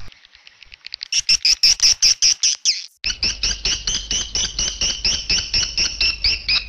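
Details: Edible-nest swiftlets on a lure recording for a swiftlet house: loud, evenly spaced sharp chirps, then after a short cut a steady rapid run of similar double-toned chirps, about two or three per second.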